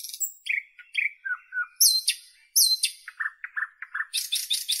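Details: Singing common nightingale from northern Europe: high whistled notes and paired buzzy slurs, followed by a steady series of five or six low repeated chirps and a closing rapid buzzy trill.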